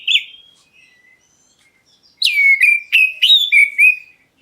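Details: Oriental magpie-robin of the black-breasted form, calling as a lure to make other birds reply; a faint whistle opens, then after a quiet gap five bright sharp-edged whistled notes follow quickly, each dropping and then leveling off.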